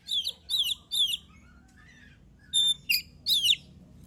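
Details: Kacer or oriental magpie-robin singing as a lure to trigger other birds: three swooping whistled notes, a pause, then a pure whistle and two more sharp sweeping notes.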